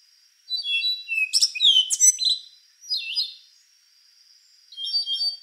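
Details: Rufous-brown solitaire singing: a steady whistle leads into a dense, bell-like jumble of high slurred notes, followed by two shorter, softer phrases a couple of seconds apart.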